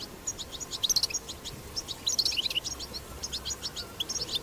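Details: Wild European goldfinch singing 'batbata' song. Lively high twitters and buzzy chirps arrive in quick clusters, rising and falling in loudness, with a faint hum underneath.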